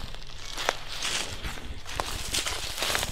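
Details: Crunching footsteps on dry ground, with crinkling and crackling in an outdoor setting; no animal calls are heard.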